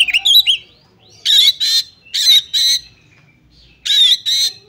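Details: Oriental magpie-robin female calling a male to prompt singing: a brief twittering whistle at the start, then three pairs of harsh rasping bursts separated by silence.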